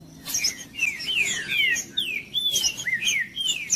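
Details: Green-winged saltator singing, played to warm up a cold, non-singing bird: a run of clear, slurred whistled phrases, each note sliding downward, given in quick succession with brief gaps.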